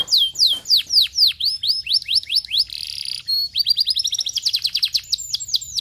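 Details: Canary song used to stimulate another canary to sing: rapid series of high, downward-sweeping whistled notes about four per second, a brief buzzy note, then a fast trill of short rising notes.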